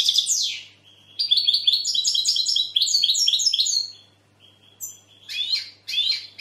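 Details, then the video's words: European goldfinch singing rapid tinkling twitters with buzzy, stacked trills, a steady thin note in the middle, then a quieter pause before two short bursts of chirps at the end. "Goldfinch bird singing the best sounds (chirping)Щегол поет / Τραγούδι καρδερίναςGoldfinch sjunger"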